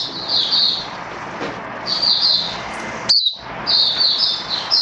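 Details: Caged oriental white-eye in build-up form, 19 September 2022: high twittering phrases repeated every second or two over strong broadband background noise, with one sharp click-like note.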